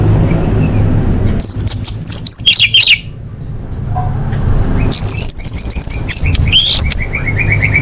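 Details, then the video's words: Orange-headed thrush song intended as a lure for caged birds: two bursts of tumbling high, slurred and twittered notes with a quiet stretch between, and a continuous low hum underneath. "Pancingan Anis Merah Paling Efektif: Meningkatkan Gacor & Kualitas Suara Burung!"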